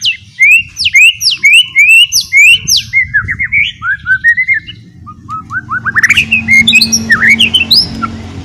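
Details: Ngeriwik white-rumped shama song used as a lure for other shamas: fast repeated upswept whistles, descending stepwise through slurred notes, then rising again into a lively, varied warble.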